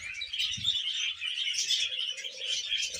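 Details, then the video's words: Contented budgerigar giving a short run of rapid, buzzy twitters and chirps that blend into unbroken chatter. "Happy Budgie Sounds"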